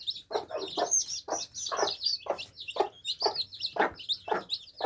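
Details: Young chicks quenching their thirst peep constantly in high, quick, wavering notes, accompanied by soft lower clucks at a steady rhythm.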